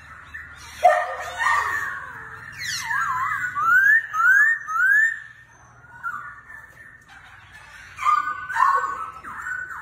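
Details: Laughingthrush, said to dance like a circus performer, delivers varied whistled song: a sharp note, warbling runs, then three rising slurred whistles in a row, followed by softer phrases and a final burst of bright notes.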